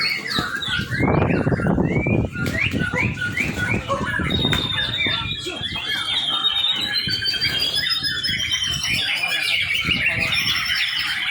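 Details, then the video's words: Young white-rumped shama singing. Choppy, low-pitched noise and squeaky notes open the passage, then clear, sustained whistled phrases rise and fall over a softer chattering background for the remaining seconds. "murai batu muda. cakep buat pancingan"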